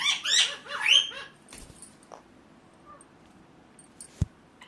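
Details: Indian ringneck parakeet giving a short burst of harsh, scratchy squawks in the first second, then near silence with a faint click or knock later.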